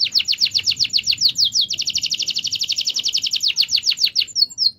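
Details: Canary performing a long rolling trill to encourage silent canaries to sing: a steady stream of rapid sweeping notes, speeding up midway and slowing toward the end.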